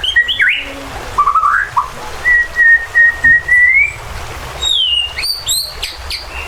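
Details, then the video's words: Agitated white-rumped shama singing as a lure to stir other birds to fight and sing. It gives brief high whistles, then a long, level, clear whistle that rises at the end, followed by sharp, high, rising notes over a steady background hiss. "PANCINGAN MURAI BONGKAR ISIAN BIKIN KONSLET"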